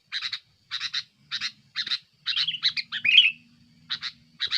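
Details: Sooty-headed bulbul singing an active, noisy song meant to pressure rivals and lure birds: short chattering note bursts in pairs and triplets, one slurred buzzy phrase near the end, faint low hum underneath.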